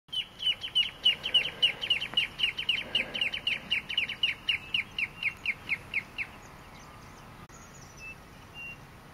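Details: Nacunda Nighthawk (nominate nacunda) at Porto Jofre, Pantanal, Brazil, 26 September 2013, giving a fast run of short, high, chirping notes, about four per second, fading after six seconds; faint background hiss.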